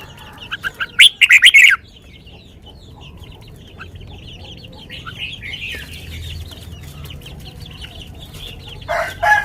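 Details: Sweet lak wai song of a red-whiskered bulbul. It opens with a loud, quick five-note whistled phrase, followed by background twittering from other birds and a second loud call at the end.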